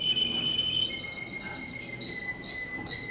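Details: Singing-competition canary, male number 10, Rostov-on-Don, 22 January 2011: a long, level whistled tour holds steady, then splits into two parallel sustained lines, ending in short accented notes over light room noise.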